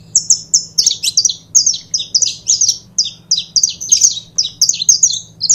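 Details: Saffron finch, called canário-da-terra, pouring out rapid, clear, high chirps in closely spaced pairs and triplets, loud and continuous, against a faint low electrical hum.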